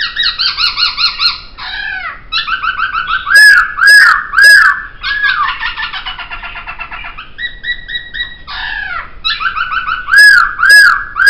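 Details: Laughingthrush song for training other songbirds: loud, varied phrases of stacked harmonic notes, fast repeated chatters, sharp rising whistles and rolling trills, phrases linked with brief pauses.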